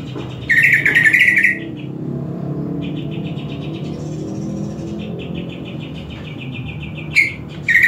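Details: Greater green leafbird in song while trained with master audio; a loud chattering warble opens, followed by quieter sustained twittering and brief sharp bursts, with low vehicle-like rumble throughout.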